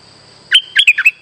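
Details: Streak-eared bulbul lure song for bird trapping, a single quick run of five fluty chirps with upward and downward slurs, over a faint low hum and a constant high whine.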